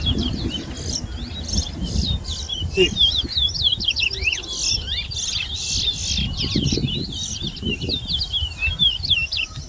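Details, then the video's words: Towa towa seedfinch singing during a bird whistling competition at a Berbice, Guyana bird ground, 2022. A long, nearly unbroken stream of rapid, sharply slurred high whistles over muffled people and ground noise. "TOWA TOWA BIRD WHISTLING COMPETITION"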